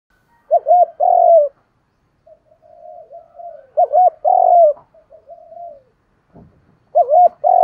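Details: Spotted dove call for stimulating untamed doves to coo and fight: three low hooting phrases roughly three seconds apart, each a quick two-part wavering coo then a long drawn-out note, with faint softer coos and a click between.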